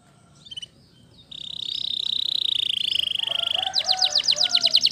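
A Waterslager canary sings a long, high, even rolling trill lasting over two seconds, then switches to a fast run of bright repeated notes, about nine a second.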